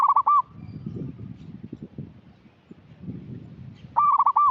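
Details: Local zebra dove (perkutut) in lively song, used to lure untrained birds into singing. A bubbling cooing phrase of rolled notes opens the clip, then a low murmuring pause, and a second similar phrase arrives near the end.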